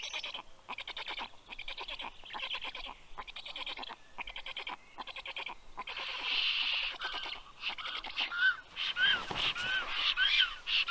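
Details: Black stork at a nest in Karula National Park, southern Estonia, where the male brings fish to the chicks at 8:09 pm on 11 June 2023. Rapid, harsh rhythmic pulses are followed after about eight seconds by thin, whistled chirps.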